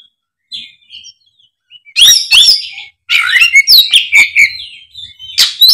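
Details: Oriental magpie-robin giving a fighting song: faint soft whistles first, then loud rapid bursts of mixed whistled notes, sharp chips and scratchy chatter after two seconds, with brief gaps between phrases.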